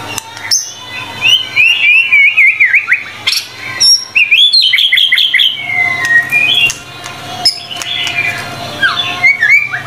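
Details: White-rumped shama singing a full, lively tutor song said to hold 25 learned materials: rapid varied whistles, warbled rising and falling phrases and high sharp notes in near-continuous bursts, with a faint steady low hum behind.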